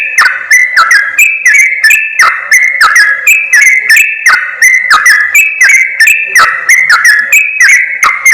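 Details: Sooty-headed bulbul lure recording, used by trappers to draw wild birds close: dense overlapping whistled phrases with slurred downward notes, repeated about every two seconds, mixed with sharp clicking chips and bright high twitters.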